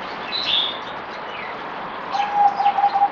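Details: Zebra dove in captivity, fourth day after deworming, 17 April 2020: a short, throbbing low coo at the end, with faint high chirps and twitters from other birds earlier.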